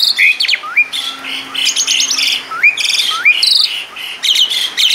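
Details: Asian pied starling sings a rich 'isian' medley: loud chattering phrases broken by repeated rising slurred whistles, with buzzy trills and a low steady hum in the background.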